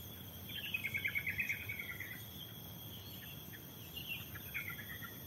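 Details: Forest birdsong at the Pos Yellow hiking post (Lemah Duwur), Lorokan, Pacet: a fast, high twittering trill lasting about two seconds, then a shorter burst, over a steady high insect drone.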